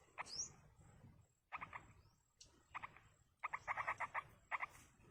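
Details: Wild yellow-vented bulbul young begging as a parent feeds them: a thin rising squeak, then clusters of scratchy, stuttering begging notes that grow quicker and denser toward the end.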